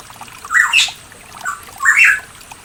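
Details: Pitohui singing in East Java's mountains, Indonesia: two rich, slurred whistled phrases rising and falling, about a second apart, with a gentle trickle of water behind.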